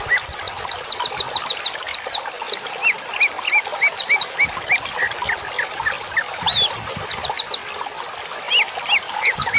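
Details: Loud bird song meant for training cage birds, packed with rapid series of high, down-slurred whistled notes, chirps and squeaky twitters, running almost continuously in energetic, varied phrases.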